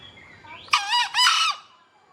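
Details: Green junglefowl calling actively: a loud, harsh two-part crow, a short burst followed after a brief gap by a longer rasping note, ending abruptly, over quiet background.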